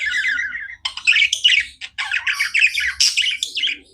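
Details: Continuous chatter of pet budgies, a run of harsh, buzzy warbles and clicky chirps tumbling quickly over one another, loud and unbroken for the whole few seconds.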